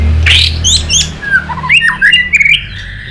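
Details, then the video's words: Excited white-rumped shama flicking its tail, giving sharp high whistles followed by a quick run of descending and rising notes, with a low hum underneath. "Chòe Lửa tạch đập đuôi kích lửa cực sung. kích chòe Lửa lên lửa sổ giọng.chòe Lửa hót nhiều giọng"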